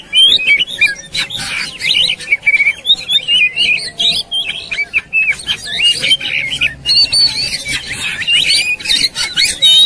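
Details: White-rumped shama in an agitated, fighting mood, tail spread: a dense run of varied whistled and chattering phrases, rapidly switching notes with sharp clicks between them, loud and continuous throughout.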